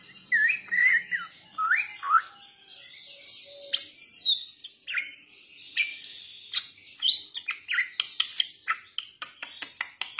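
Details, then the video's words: Lure song of young Bali mynas: varied looping whistles and harsh notes run into a fast, busy series of clicks, chips and rising whistles that grows denser toward the end. "Pancingan Jalak Bali Muda"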